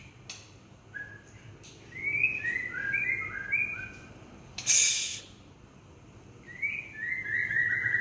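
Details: Gebrak song of an Aceh white-rumped shama: quick runs of bright, downslurred whistles in two bursts, separated by a loud, harsh click or knock.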